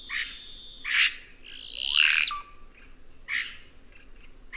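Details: Red-rumped cacique (Cacicus haemorrhous) singing: harsh, broadband bursts at about one-second intervals, then a long raspy rushing phrase that ends in a short, low, level whistle, followed by more scratchy notes.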